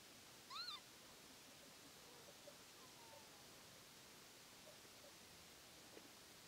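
A single wheezy, slurred lapwing call rises then drops over a moment, almost cat-like; the rest is quiet, faint background hiss.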